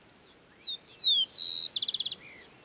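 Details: A Rufous-collared sparrow sings in a woodland meadow at Isla Teja, Valdivia, Chile, on a January summer day: two clear, high slurred whistles falling in pitch, then a buzzy note and a quick trill, ending with a soft whistle.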